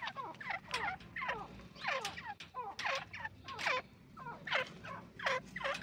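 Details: Irani teetar partridge giving a fast series of short, falling, chattering notes, several per second, repeated throughout over a low background hum.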